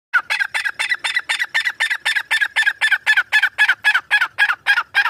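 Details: A Grey francolin (Ortygornis pondicerianus) calls a loud, harsh run of clipped notes, about four every second, in a steady rhythm with no other sounds.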